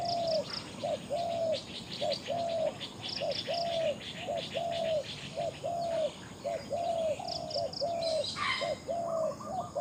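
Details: Spotted dove, a captive decoy bird with a big voice, cooing: low, hoarse, slightly rising coos in short phrases, about one note per second, with faint high chirps from other birds and insects behind.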